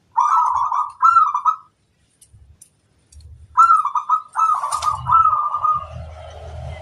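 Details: Local zebra dove singing at rivals in challenge: strongly rolling, burred coo phrases, first in a short pair, then a long run. A low rumble and scratchy background noise build toward the end.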